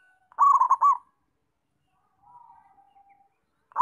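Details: A local zebra dove in active song delivers one loud rolling phrase of quick bubbly coos, then a soft low fading coo, with the start of another phrase cut off at the end.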